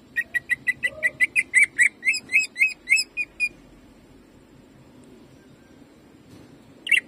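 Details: Greater green leafbird firing off jamtrok song for warming up caged birds: quick, evenly spaced chips that speed up, then turn into louder slurred notes before stopping, followed by silence and a final short burst.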